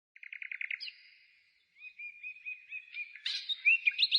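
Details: Songbird singing outside the city in spring, 15 May 2017: a quick run of about eight rapid trilled notes, a pause, then thin, high slurred whistles and a burst of busy, jumbled twittering.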